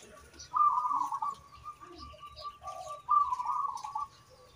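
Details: Zebra dove of a local type singing as a stimulus for other birds: two long, bubbling trilled coo phrases about two seconds apart, with soft low notes and a quiet steady trill between them.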